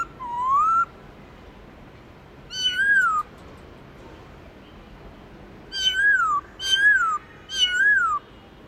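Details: Loud whistled song of a black-throated laughingthrush in the forest style, giọng rừng: a rising opening note, then a falling phrase, and after a gap three rapid, similar descending whistles in a row.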